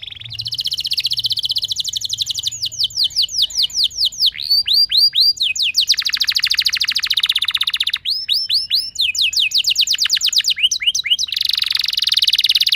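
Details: Continuous canary song, a luring recording meant to start other canaries rolling: dense sequences of rapid falling and rising whistled sweeps alternate with fast trilled rolls, loud and unbroken throughout.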